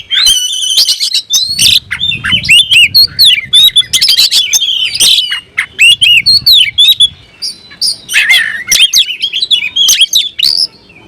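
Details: Kacer (oriental magpie-robin) singing fiercely, tail open, calling an opponent to fight; bursts of harsh chatter, clicks and sliding whistles, ringing high tones at the start, brief quieter gaps between phrases.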